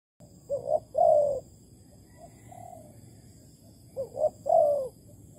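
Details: Spotted dove in Malaysia, recorded during bird trapping with a decoy on 11 August 2020; two cooing phrases, each two short rising notes then a longer, warbling descending coo, with a quiet pause between phrases.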